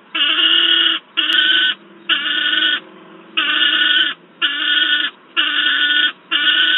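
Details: A loud juvenile peregrine falcon in Wałbrzych, Poland, August 2022, beside an adult, gives eight rasping screams, each under a second, in a steady series with one longer gap midway.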